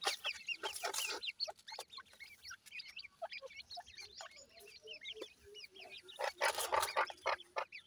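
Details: Baby teetar, grey francolin chicks, peeping continuously after feeding as they fight with their mother. Thin upward-sweeping cheeps come several per second from many birds, punctuated by loud pecking clicks and scuffles.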